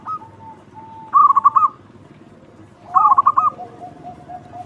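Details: Local zebra dove singing loudly as a lure for other doves: two strong rolling, trilled phrases about two seconds apart, with softer level cooing notes around them.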